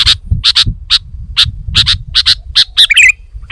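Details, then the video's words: Sooty-headed bulbul in full voice, giving quick sharp chips, often doubled, with a short twittering flourish near the end and a low rumble underneath. "Kicau Burung Kutilang Gacor"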